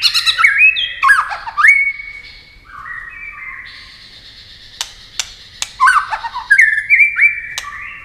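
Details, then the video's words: White-rumped shama singing in a speed-singing contest, flicking its wings and tail constantly: rich whistled phrases sliding down and up, mixed with harsh chattering notes, with sharp clicks between phrases and a quieter pause midway. "chòe lửa hót đấu tốc độ.nhá cánh chơi đuôi liên tục"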